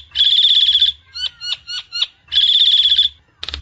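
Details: Nias hill myna song used as a lure: two loud, buzzy, high rattles separated by a run of four quick down-slurred whistles, ending in a short burst.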